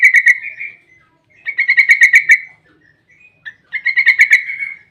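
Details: A Yellow-vented bulbul gives long rapid 'ropel' song, used as a lure so other bulbuls answer: three rattling trills of bright, harmonic-rich chirps, each trailing into a slurred whistle, separated by short silences.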